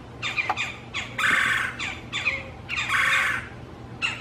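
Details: Two female Red-bellied Woodpeckers argue near a male's nest site in a backyard one morning; a run of sharp chattering notes broken by loud, harsh rolling squawks, each about half a second long, repeated several times.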